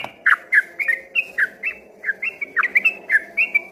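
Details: Yellow-vented bulbul singing actively in the 'ropel' manner, once thought to be a straw-headed bulbul; quick chattering whistles, roughly three to four a second, alternating rising and falling slurs.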